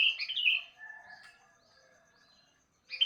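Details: Sooty-headed bulbul in the morning: a quick bubbly warbled phrase, then a thin steady mid-pitched whistle fading away, and a fresh phrase starting at the end.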